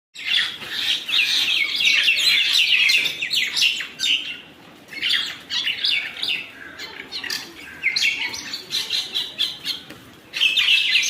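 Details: Birds fighting, producing dense bursts of harsh, squawking chatter and rapid chirps in loud waves, pausing briefly before flaring up again toward the end.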